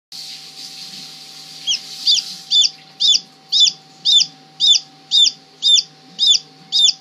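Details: Newly hatched Blue Bearded Silkie chicken chick peeping: clear, high, downward-slurred peeps repeated steadily about twice a second after a short quiet start, over a faint steady hum.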